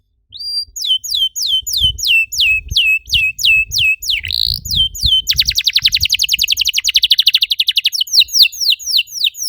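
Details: Canary song for stimulating other canaries to sing: regular hooked high notes, a brief squeaky slur, then a long fast rattling trill and further hooked notes, over faint low background noise.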